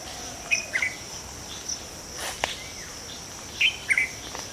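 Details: A Red-vented Bulbul perched on a tree branch, calling: two quick pairs of short, bright chirps about three seconds apart, over a steady high insect drone and a sharp click.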